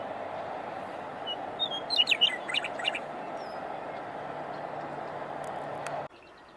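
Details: Western meadowlark: a short, rich burst of clear whistled and gurgling notes between about 1.5 and 3 seconds, over a steady broad rumble like traffic that cuts off abruptly near the end.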